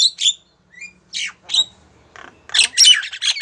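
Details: Female Javan myna calling a male: separate harsh squawks and a few thin whistled slurs with short pauses between them, building into a loud, dense burst of rasping notes at the end.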